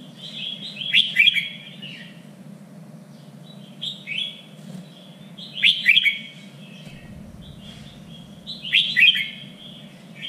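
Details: Red-whiskered bulbul trained for contests, three-region standard style: four loud, chattering warbled phrases, each about a second long, come every two to three seconds with lighter whistles between them, over a constant low hum.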